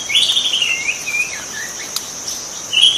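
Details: White-rumped shama singing in the wild: a high, fluid twittering phrase that drifts downward, then a short bright note, against a steady insect drone.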